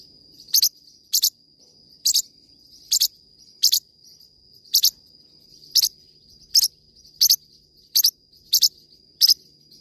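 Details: Forpus parrotlet song made of crisp paired chirps, very high and clipped, coming in irregular runs with short gaps, set against an unbroken high steady tone.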